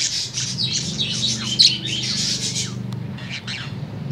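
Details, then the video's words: Tame budgerigar singing in the afternoon, a dense stream of squawky chatter and high chirping notes, briefly pausing, then resuming with a few softer twitters. "SUARA PARKIT"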